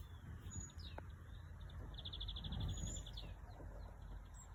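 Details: Bird song outdoors: a fast, even trill of about fourteen high notes, with thin high whistles before and after, heard at a distance over low rumbling background noise.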